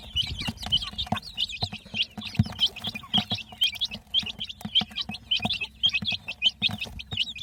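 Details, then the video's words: Baby chicks of a domestic hen chirping continuously: many high, bright peeping notes overlap in rapid succession throughout, with soft low thumps and rustling underneath. "Murgi Baby "Chicks Chirping" Sound"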